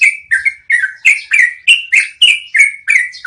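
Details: Yellow-vented bulbul (trucukan) in a long rolling ngeroll song meant for tutoring caged birds; fast chain of gurgling, down-slurred notes repeated roughly three times a second, crisp high clicks overhead, clean background.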